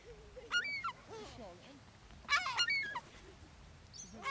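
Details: Seagulls crowding for food on Brean Sands beach in Somerset, England, spring 2013: a few bursts of sharp, overlapping, downslurred mewing cries, each lasting under half a second, with quieter lower wails between.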